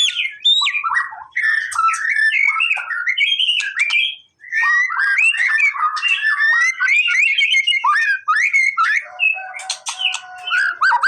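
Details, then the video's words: Male white-rumped shama in lively song used for drawing a response: rapid varied whistles and harsh chatter phrases, a brief pause midway, then more bubbling notes ending in a buzzy, flat tone. "MURAI BATU MALES BUNYI!!! CUMA BUTUH 5 DETIK LANGSUNG RESPON!!!"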